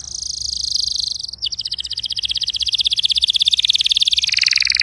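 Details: Canary song played to get a non-singing canary going: continuous high rolling trills, a sharp drop in pitch, then long sustained fast pulsed tours with a faint background hiss.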